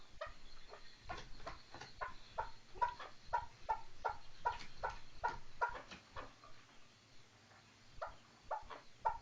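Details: Chukar partridge giving a run of short, clucking chuck notes at an uneven pace, about two or three a second, with a few louder bursts and quieter gaps between them.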